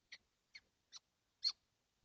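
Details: Seven kestrels crowded in a nesting box on a hot June 12, 2025; four short, rasping high calls spaced about every half second, the last loudest.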